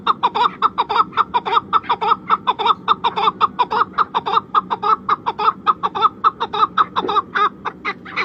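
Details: A chukar, national bird of Pakistan, in Chitral gives a long, steady run of harsh, cackling 'chuk' notes, nearly two per second, with a faint room hum beneath.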